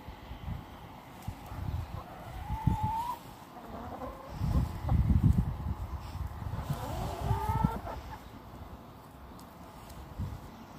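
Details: Chickens exploring their allotment area on 12 January 2020 give a few short, tonal calls, some rising, near three and seven and a half seconds, over heavy low rumbling and wind-like noise.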